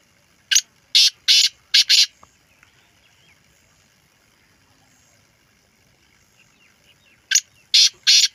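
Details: Female black francolin calling; a phrase of five harsh, rasping notes, a quiet gap of about five seconds, then a shorter phrase of three loud grating notes.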